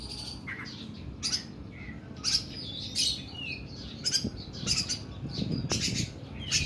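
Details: Oriental magpie-robin delivering its long, rough 'nembak' song style: scattered sharp whistles and harsh buzzy bursts spaced irregularly over a low room hum, with a soft rumble near the end.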